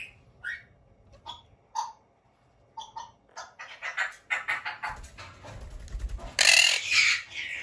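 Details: Captive pet monk parakeet giving threat calls indoors, angered when its territory, especially the cage floor mesh, is disturbed: short harsh squawks, then a dense run of rapid grating calls rising into loud rasping screeches, with low handling rumbles.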